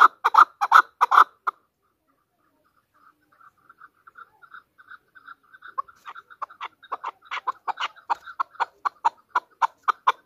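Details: Chakor, national bird of Pakistan, as a hunter chukar: a loud opening burst of rough chucks, a pause, then faint quick notes that grow into a steady, accelerating clucking series.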